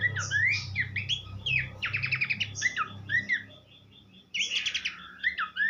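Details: Horsfield's babbler singing, offered as a tutor recording for training songbirds: a varied run of swooping whistled notes and rapid buzzy trills, a brief pause near the end, then more phrases, over a low steady hum.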